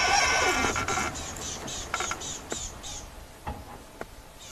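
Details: A rattling cisticola in a South African Lowveld game reserve at sunset on 31 December 2023 gives sharp, dry ticking alarm notes about every half second, possibly at a predator; a man speaks quietly over the first part.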